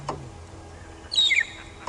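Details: On a dry early morning at sunrise, 31 Dec 2015, at Djuma, a Magpie shrike that rollers had been mobbing calls while hidden in a young leadwood tree: a brief burst of clear, fluty whistled notes dropping in pitch, over quiet hiss.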